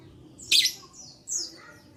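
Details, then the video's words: Lovebird call used to encourage other lovebirds to sing: one loud grating squawk followed by a thinner high descending buzzy note, short and clear above faint hum. "Terapi Lovebird Malas Bunyi Cocok Untuk Memancing Bunyi Semua Love Bird"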